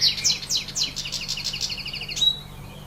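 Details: Goldfinch song outdoors in nature: a fast, tinkling run of high chirps and repeated trilled notes, closing on a thin sharp whistle, over a faint low hum.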